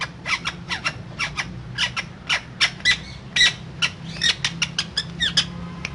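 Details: Parrot giving a rapid series of short, sharp chirps and clicks, roughly three to four each second, some with brief downward-sweeping notes. Faint low hum underneath.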